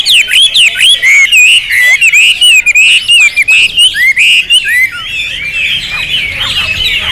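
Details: Champion Hwamei with rich material singing loud, clear whistled phrases that bend up and down in quick, separated bursts, fading into softer twittering at the end.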